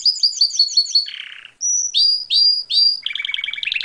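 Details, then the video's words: Canary song: a quick series of high chirped notes, a lower buzzy roll, a pure high whistle, three loud rising slurs, then a fast rolling trill. "تغريد كنارى - جميل"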